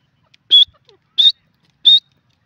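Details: Indian grey francolin (teetar) giving three loud, sharp, high-pitched notes, each slightly rising at the end, spaced about 0.7 seconds apart in a quiet setting.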